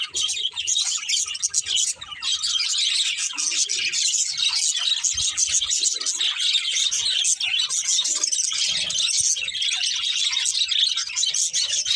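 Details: Pet budgies keep up a constant, busy high-pitched twitter, many overlapping chirps and warbles with no pauses, a few faint low murmurs underneath.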